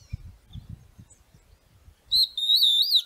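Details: A Stripe-backed Antbird in caatinga at Sítio Pau Preto, Potengi, Ceará, Brazil, gives a loud, clear, high whistle that wavers up and down for about a second, after soft low thumps and rustling.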